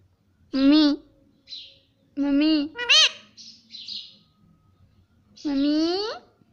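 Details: Pet parrot mimicking words like mummy and papa: loud, voice-like syllables in quick pairs, one sharply rising, then a final long wavering phrase, with soft high chirps in the gaps.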